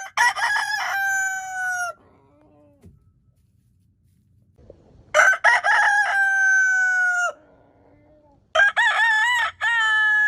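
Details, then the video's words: Leghorn rooster crowing three times, each crow loud and drawn out with a long level ending, separated by quieter gaps with faint low murmurs. "Ayam Leghorn BERKOKOK"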